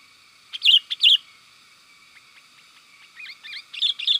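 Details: Sooty-headed bulbul lure call, used to draw wild bulbuls in the forest and as a master song for tutoring kept birds: two loud bright chirps, a quiet pause with soft ticks, then a run of rising and falling whistled notes over a faint steady hum.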